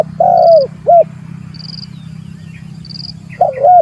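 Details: Spotted dove calling out to a rival, meant as lure audio: a drawn-out coo followed by a short one, a pause, then another rolling coo pair. High thin tones sound at intervals above a steady low hum.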